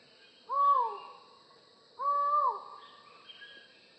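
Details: A collared forest falcon in tropical forest calls twice, about one and a half seconds apart. Each is a loud, mournful, slightly downslurred 'aow' that trails off. A continuous high-pitched insect hum runs throughout.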